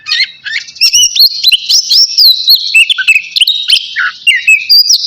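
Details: Oriental magpie-robin of the navy type, about to bathe, sings a rich, fast medley of sweet rising and falling whistles mixed with sharp chirps, almost without break.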